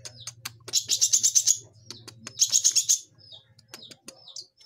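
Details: Juvenile long-tailed shrike practising song, two loud high buzzy trilled bursts about a second apart, with scattered soft ticks and brief chirps around them.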